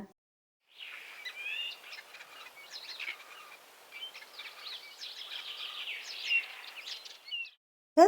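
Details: Common starling song played to children in a kindergarten guessing game in Vinnytsia, April 2023: a varied run of chirps, clicks, buzzy notes and short whistles, some rising and falling, lasting about seven seconds, with a brief voice at the end.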